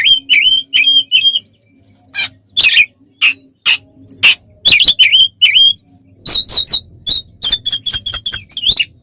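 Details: Oriental magpie-robin (kacer) singing to provoke other birds in a fight: repeated wavering whistled notes, loud harsh rasps, then a fast string of sharp chattering notes.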